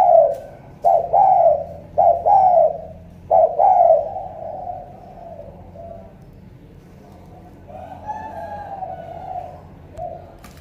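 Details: Spotted dove, Cà Mau, Vietnam, giving thổ cọp-style coos: four strong hollow phrases in the first seconds, then softer, more distant cooing, with faint clicks.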